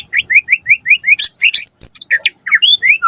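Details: White-rumped shama singing a lure song to provoke an answer: a fast run of repeated rising whistled notes, about five per second, followed by sharper high squeaky notes and rising slurs.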